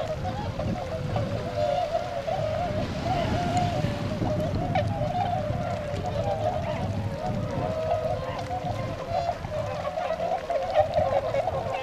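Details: Tundra swans wintering at Gotenda pond in Azumino, Nagano, Japan, on 22 February 2013, heading out to feed in nearby rice fields; a steady chorus of many overlapping nasal honks under a heavy low rumble of wind or handling noise.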